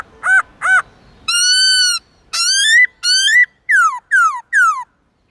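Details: White-cheeked laughingthrush singing a morning song of many forest voices, used for training young birds: a varied series of loud clear whistles, some steady, some rising, then repeated falling slurred notes.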